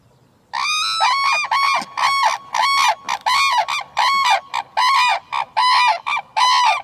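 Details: Red-crowned crane giving a rapid series of loud, rich trumpeting calls, about a dozen bugling notes with rising-then-falling tone, repeated almost without pause for six seconds, nothing else heard.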